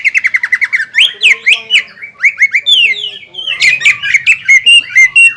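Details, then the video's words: Greater green leafbird song aimed at stirring a rival leafbird back to aggression after moulting; quick run of chips, then longer downward-sweeping whistles and varied squeaky phrases, ending in a rapid chattering sequence. "CUCAK IJO GACOR INI MAMPU MEMANCING EMOSI CUCAK IJO LAWAN HABIS NYULAM AGAR EMOSI KEMBALI"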